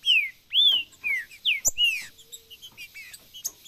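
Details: Male Green-winged saltator whistles a series of loud, pure, downward-slurred notes, one arched, followed by fainter, quicker whistled notes and a click.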